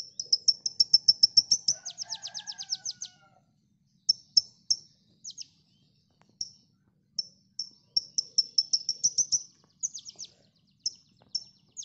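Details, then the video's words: A konin sings: rapid, very high, thin chips run into a quick trill, then broken into short bursts and single notes, with softer, lower chirps faintly behind. "MASTERAN KONIN"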